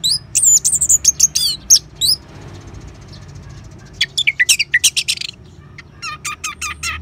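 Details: Ngeban song of an Orange-headed thrush, meant to stimulate caged birds: sharp high chattering phrases, a brief pause, then rapid repeated chirps and falling whistles in quick succession.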